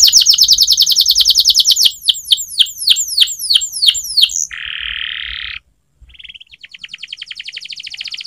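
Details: Canary singing a training song: a fast high trill gives way to slower downward swooping whistles, then a buzzy sustained roll, a brief silence, and a rapid ticking trill.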